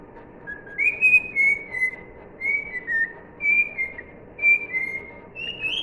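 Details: Cockatiel singing "If You're Happy and You Know It" in crisp whistled notes, about six separate held tones with slight downward bends, evenly spaced, ending on a higher note.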